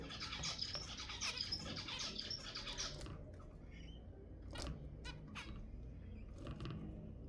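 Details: Zebra finch song used to encourage mating: rapid chattering, buzzy high notes for the first three seconds, followed by a few separated nasal calls over a low hum.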